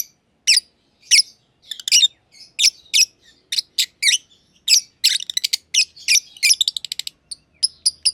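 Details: Two personata lovebirds, green and green pied, long-time aviary companions, keep up steady loud chirping: piercing clipped notes roughly twice a second, growing into quicker chattering runs toward the end.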